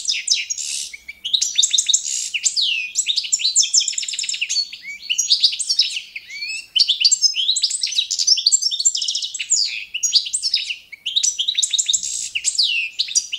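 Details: European goldfinch of the balcanica subspecies performing a standard competition song for training: dense, continuous twittering with fast buzzy trills, liquid chirps and rising whistled notes, broken by brief pauses.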